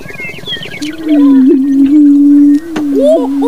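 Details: A male greater prairie chicken in spring breeding display, strutting, gives one low, hollow, steady boom lasting almost two seconds, with thin chirps of other birds before and after.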